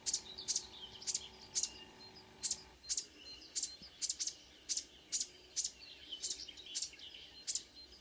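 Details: Marsh warbler singing at 5 a.m. on 2 June 2009 near Ski, Norway, with several singers around: loud broadband buzzy clicks repeated about twice a second, threaded with high warbled notes, possibly mimicking a car alarm.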